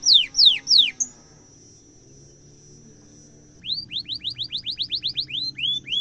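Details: Singing canary, sharp rolling song offered as a tutor for young canaries: three loud falling sweeps, a long thin high whistle, a pause, then a quickening series of short rising notes about five per second.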